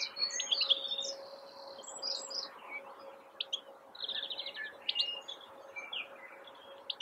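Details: European goldfinch singing from a blackthorn bush in April 2021: a fast, liquid stream of high twittering notes, short buzzy trills and rapid rattling runs, with a faint steady low hum underneath.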